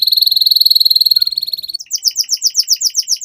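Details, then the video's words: Young canary in full song for a training recording: a quick, even trill followed by a run of sharp, high descending chips repeated about four times per second. "Pancingan KENARI Paud AGAR Cepat BUNYI || MASTERAN Burung Kenari Gacor PANJANG"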